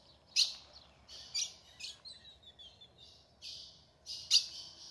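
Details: Female ultramarine grosbeak in the sertão's caatinga, calling to warm up and prompt a male's song: three sharp, explosive chip notes about a second apart, separated by steady hissing, buzzy background sound.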